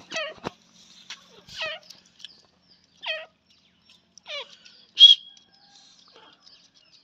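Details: Female grey francolin calling: a short series of sharp, downward-sweeping notes spaced about a second apart, with one brief louder high squeak near the end over a quiet background.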